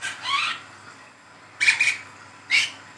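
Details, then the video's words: Young Brown-throated sunbird in spotted juvenile plumage giving chattering 'ngeriwik' calls, used as a lure and tutor sound for training sunbirds. A thin rising squeaky note, then two short high sharp chips after a pause. "SUARA WICEH TROTOL NGERIWIK GACOR, PANCINGAN KOLIBRI KELAPA TROTOL"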